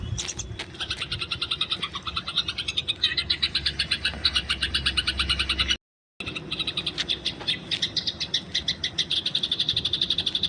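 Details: Wild Eurasian tree sparrow, fighting, kept as a training recording: nearly continuous fast, buzzy chirping at about four notes per second, broken by a brief gap of silence midway.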